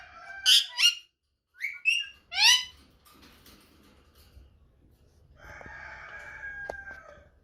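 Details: Rose-ringed parakeet call said to drive the male wild and send him searching everywhere for the female: four loud, harsh, harmonic screeches in two pairs within about two and a half seconds, then a quieter drawn-out rasping tone with faint clicks.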